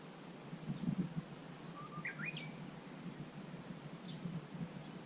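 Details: Japanese bush warbler, Susan-ri, 18 July 2020, singing a variant song: a short steady whistle breaking into rapid rising and falling whistled notes midway, with faint high chirps and low rustling noise throughout.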